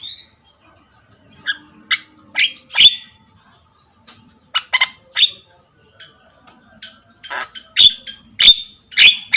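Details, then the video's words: Javan myna (jalak kebo) singing in full voice: bursts of harsh, broadband chattering notes and short squawks mixed with a few high whistled tones, coming in clusters separated by brief pauses. "jalak gacor || suara asli jalak kebo"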